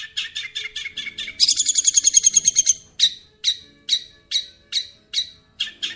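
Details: Masteran song for the long-tailed shrike: a row of high chirps, then a fast loud trill of piercing notes, followed by single sharp descending chirps spaced about half a second apart.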